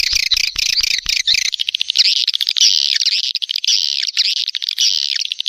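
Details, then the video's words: Swiftlet lure call, the SP Neptunus sound played to draw swiftlets during the rainy season. A short burst of dry clicks gives way to continuous high, shrill chattering twitters with quick looping notes. "SUARA PANGGIL BURUNG WALET"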